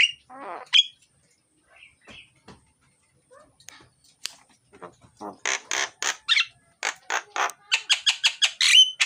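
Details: Loud, busy myna song meant to coax silent mynas into singing: sparse scratchy notes and a quavering descending phrase, then dense rattling, buzzy bursts ending in quick sharp chattering with brief whistled accents.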